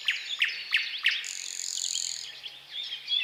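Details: Thrush nightingale song, powerful and varied with unhurried strophes: four sharp clicking notes about a third of a second apart, then a sustained high buzzy trill, followed by softer warbled phrases.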